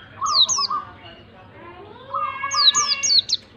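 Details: White-eye song for provoking a reluctant bird to sing: short bursts of high descending whistles, with a lower, steady piping phrase repeated beneath and between them.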